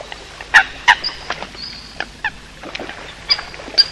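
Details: Eurasian coot at night at the end of the 2020 season, giving loud, abrupt, explosive notes at irregular intervals, some doubled, with faint thin high whistles behind them.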